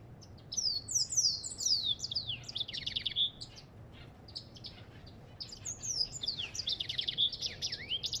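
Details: Continuous twittering African goldfinch song, a rapid jumble of high slurred notes and trills with one pure whistled note standing out, briefly pausing midway before resuming.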